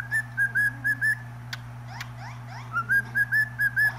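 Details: A pet cockatiel sings to a cat: two runs of short, clear whistled notes, about five each, with a pause and a few clicks between them over a steady low hum.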